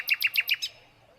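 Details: Silvereye, a tiny bird in New Zealand, feeding on an apple; five quick, high, sharp chirps in just over half a second, each clipped and evenly spaced, followed by quiet.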